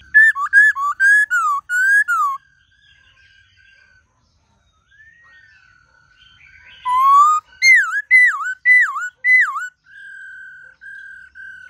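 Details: Varied forest-voice song of a white-cheeked laughingthrush, played to stimulate captive birds: bursts of whistled, swooping phrases, a long quiet stretch with soft level whistles, then more looping slurred notes and steady tones.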